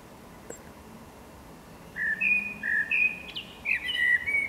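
Eurasian blackbird singing mellow, fluty whistled phrases that rise and fall, starting after about two seconds of quiet background hiss.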